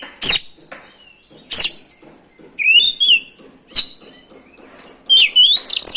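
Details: Oriental magpie-robin song for provoking other birds to sing: sharp high clicks spaced out, with a short warbled whistled phrase in the middle and a bright twittering burst near the end.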